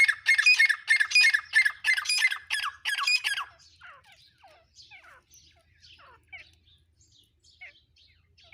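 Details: Black francolin giving loud, harsh, rasping call bursts in fast succession for about three seconds. The calls then fade into scattered faint, thin chirps against a quiet background.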